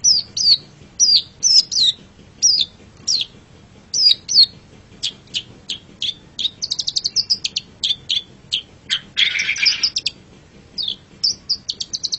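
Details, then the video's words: Pentet or cendet (Long-tailed shrike) master recording used to train songbirds: quick, high, clipped chirps in bursts, then rapid stuttering series of sharp notes and one short harsh buzzy rasp near the end. "Masteran Suara Pentet Cendet"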